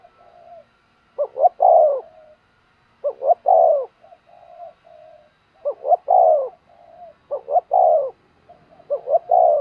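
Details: Spotted dove kept to provoke wild doves, cooing steadily; five phrases about every two seconds, each two short rising coos and a longer descending one, with soft low coos in between.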